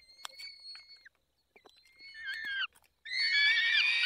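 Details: Peregrine falcon at a feeding on 20 May 2021, 10:22, Barycz Valley. Thin, strained whining calls come first, then a short break, then a loud, rough, sustained scream with faint ticking sounds.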